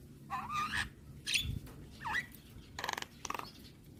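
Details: Javan myna song used as a training recording for young birds, meant to be played every morning: rising whistled slurs, a sharp high note, a looping whistle, then harsh buzzy rattling bursts, over a faint low hum.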